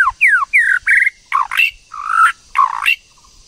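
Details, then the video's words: White-rumped shama, female stimulating a male to sing: a string of rasping, buzzy calls, some sliding down and some rising at the end, delivered in uneven bursts. "TIẾNG CHOÈ LỬA MÁI TRỐNG/CHOÈ LỬA MÁI TẠC KÍCH TRỐNG"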